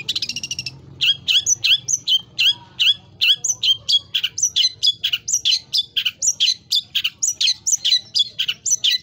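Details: Long-tailed shrike in lively full 'isian' singing, a training recording of mimicked phrases, high and low. After a brief buzzy opening, a steady stream of sharp, down-slurred high whistles repeats several times a second.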